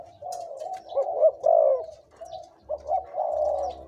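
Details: Two-to-three-year-old decoy spotted dove showing off its big, middle and small voices: soft, low hollow coos in looping phrases, a louder rounded note near the middle and a steadier run toward the end.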